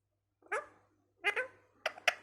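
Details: A talking parrot gives three quick harsh speech-like bursts, broad and buzzy, in a small room with a faint low hum.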